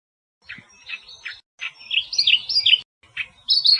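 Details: Australian reed warbler singing in the wild: short bursts of scratchy, chattering notes separated by brief pauses, mixing harsh churrs with higher squeaky whistled notes.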